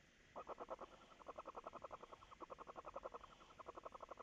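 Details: Barn owl at a nest during feeding, about 3 a.m. on 27 May 2018, giving a rapid, mid-pitched chittering of short pulses, about seven a second, run together for nearly four seconds against a quiet background.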